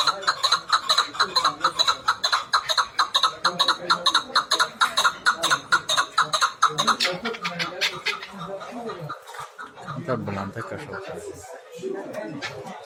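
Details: Chukar partridge kept for hunting, giving a steady run of rhythmic clucking calls at about two per second that grows softer after eight seconds, with people talking and laughing nearby.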